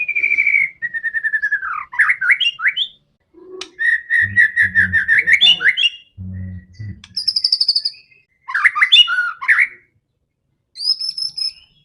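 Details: White-rumped shama in full song, described as aggressive and a fighter, used to provoke other shamas: clear whistled phrases, rapid stuttering trills and very high ringing notes in varied bursts, with low buzzy thrums between phrases.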